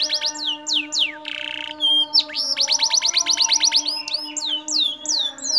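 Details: Gacor Atlantic canary, a kenari senopaty bird, singing loud varied phrases: downward-sweeping whistled notes, a short harsh buzz, then a quick run of rising, repeated slurred notes and more falling whistles, with a steady low tone droning underneath.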